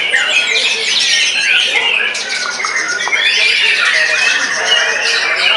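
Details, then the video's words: White-rumped shama singing wildly after its molt to dominate rivals: rapid, tangled phrases of clear whistles, twittering and harsher chatter, loud and sustained throughout. "pasca mabung kesurupan pukul telak lawan tak berkutik"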